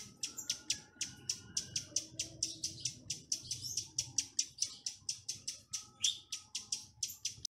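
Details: Lure chestnut-capped laughingthrush calling wild birds with its 'tạch' song: a dense, rhythmic stream of sharp clicking notes, some paired, kept up steadily for seven seconds with a faint high whistle underneath.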